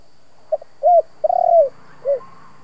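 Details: Spotted dove cooing in 'kích bổi' style, a local-voice ('giọng thổ') song meant to rouse decoy doves. One phrase: a short soft note, a rounded coo, a drawn-out throaty rolling coo, and a closing downslurred coo. Quiet background.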